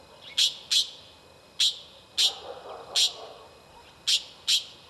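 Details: 2 White-banded mockingbird (Mimus triurus) in Córdoba, August 2010, giving seven short, sharp, high notes, some in quick pairs, spaced unevenly over five seconds, with a faint low murmur behind.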